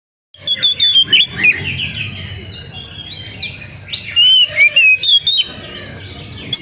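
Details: Oriental magpie-robin, known as kacer, singing in lively gacor style; a loud, varied stream of sweet whistles, slurred rising and falling notes and sharp chips delivered rapidly without pause.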